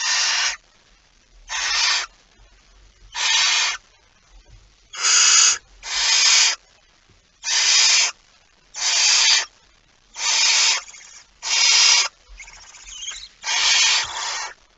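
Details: Barn owl at its nest with prey, a mouse, recorded on 23 September 2019 just after midnight; harsh, breathy hissing screeches of about a second each, repeated roughly every one and a half seconds, eleven in all.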